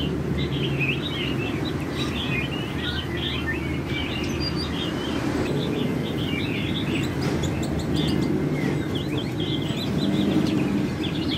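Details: A genetically mutated white-winged white-rumped shama gives a quick run of short, bright chirps and brief whistled phrases, almost without pause, over a steady low rumble of traffic.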